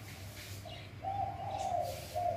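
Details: Spotted dove from the wild at Bang Bai Mai, Surat Thani province, Thailand, giving one short, drawn-out, mellow cooing phrase over a steady low hum.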